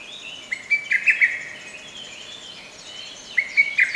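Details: Lesser cuckoo song in a forest park on 15 May 2024, bird out of view: two bursts of loud, clipped whistled notes a few seconds apart, over constant background chirping of other birds.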